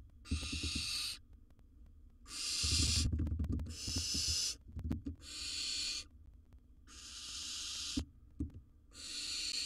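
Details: Wild barn owl at a nest box, recorded while one swallows a large prey: long rasping, hissing screeches lasting about a second each, repeated five times over a low rumbling background with scattered knocks.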